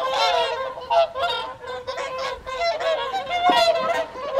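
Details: Many whooper swans calling at an evening feed at WWT Caerlaverock's Folly Pond, January 2023: loud overlapping bugling honks, rich and nasal, coming in quick bursts with no pause in the chorus.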